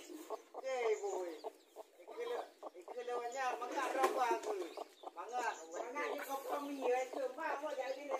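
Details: In a garden, mother hens confront each other over territory while their new chicks stay near: rapid, overlapping clucks and harsh squawking calls, busiest in the middle, continuing in uneven clusters throughout.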